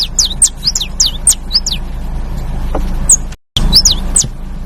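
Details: Canary song of quick, high, bending notes that swoop down and up, followed by a few more chirps after a brief gap. A low background hum runs throughout.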